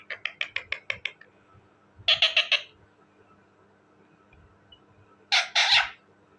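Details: Talking parrot in a room producing a series of short, regular harsh clucks, then a burst of grating rapid notes, a pause, and another loud harsh burst, over a low steady hum.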